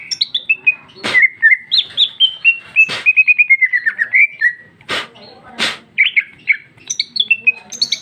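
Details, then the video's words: Greater green leafbird female in full ngeplong song with lavish isian fill, recorded in 2021: a continuous chain of varied whistled and chattering notes stepping down in pitch, with occasional loud sharp clicks between phrases. "Cucak ijo betina paling gacor ngeplong isian super mewah"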